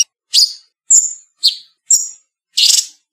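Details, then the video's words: Cucak cungkok bulbul, cleanly edited song: five short, separate notes roughly half a second apart, mixing sharp whistled slurs and rasping chips, the last a longer harsh chatter. "Cucak Cungkok Speed Rapet, Pedas, Cadassss..!!"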